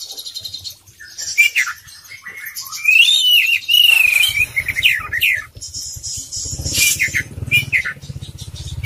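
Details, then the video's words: Kacer poci, an Oriental magpie-robin, sings loudly in full filler style: varied whistled phrases, a long warbled trill and sharp high buzzy notes, with a low steady engine-like hum from the middle onward. "suara kacer poci gacor full isian"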